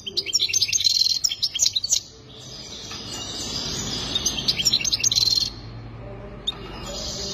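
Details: Goldfinch singing two bursts of quick, high twittering with trilled, jingling notes, then a quieter stretch with one sharp chirp and faint background hum.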